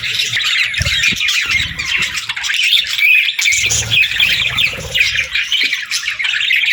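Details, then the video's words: Morning chirping of a parakeet group: loud, thick high twittering and squawks with an occasional clear whistled note, and a few soft low thuds. "Parakeets Chirping Sounds"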